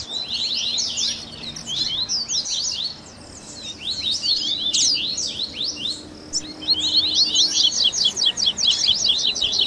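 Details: Baderninha song of a double-collared seedeater, meant to stimulate a caged bird to sing: busy bursts of high, scratchy twittering and quick chirps, dropping briefly near the middle before resuming at full pace.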